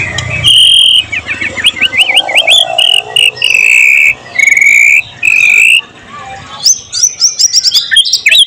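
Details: Murai batu (white-rumped shama) singing loudly with mimicked phrases of cililin, cucak jenggot, canary and lovebird, recorded 12 July 2023 as a tutor recording: rapid rattling trill of upslurred notes, then long steady whistles broken by pauses, ending in fast chattering figures.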